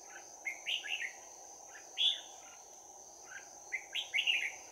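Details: Bell-voiced red-whiskered bulbul fighting song, trapping session in Đồng Nai, 11 January 2019: short clusters of rich, chirpy whistled notes, some rising, repeated in quick phrases, with a constant shrill insect drone behind.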